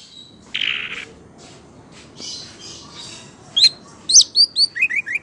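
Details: Orange-headed thrush singing: a soft hiss and scratchy sounds first, then sharp high whistled notes. A quick series of five or six descending chirps follows, repeated about twice a second.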